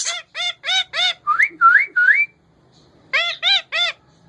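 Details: Caged male rose-ringed parakeet talking: a run of harmonic-rich, arched voiced syllables about three a second, then three rising whistled slurs, a short gap, and more of the voiced syllables in a quiet room.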